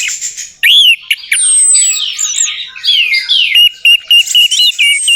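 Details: Orange-headed thrush singing, offered as a lure to make a quiet bird sing: varied whistled phrases with rising and falling slurs, then short looped notes repeated about four times a second.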